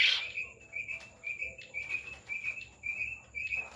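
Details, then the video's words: Quail on a farm giving a steady run of brief, high chirps spaced roughly two to three per second, with little else heard. "Quail Voice||Batar ki Awaz"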